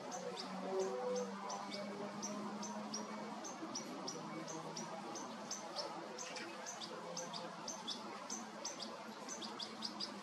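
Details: Juvenile European goldfinch being fed by its mother, recorded 29 August 2022: thin, high chirps repeated rapidly and irregularly, about two or three a second, over a steady hiss of background noise with some low hum.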